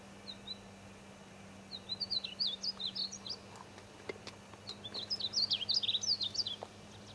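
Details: Painted bunting singing in the Wichita Mountains, Oklahoma: two bursts of quick, high, sweet warbled notes jumping up and down, the second phrase longer and busier, with faint clicks and a steady low hum behind.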